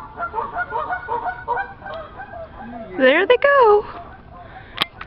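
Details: Geese strolling on a neighbour's roof; a run of nasal honks gives way to a loud, rising and falling drawn-out call midway, followed by a few sharp clicks and quieter honking.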